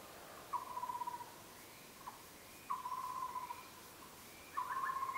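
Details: White-rumped shama singing drawn-out, level whistles, each about half a second long, repeated three times with short pauses, the last one ending in a quick ornamented flourish.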